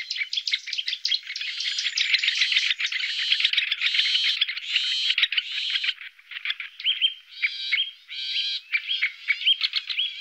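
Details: Great grey shrike filmed in the Loonsche Land, an Efteling area beside the Loonse en Drunense Duinen: a dense, harsh, scratchy chattering of rapid notes, running almost continuously and ending in short separate squeaks.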